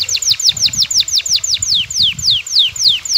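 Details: Excited male canary courting a female: a steady run of sweeping downslurred whistles, roughly three each second, over low background rumble.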